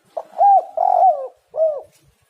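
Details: Spotted dove coo phrase for luring birds: short soft hoot, rising-falling coo, a long burry coo gliding down, and a separate clear arched closing coo.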